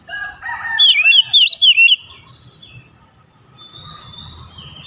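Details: Oriental magpie-robin in morning sunlight sings a quick series of bright, rolling whistled slurs. Lower chattering notes come just before, and a soft long whistle and faint background noise follow.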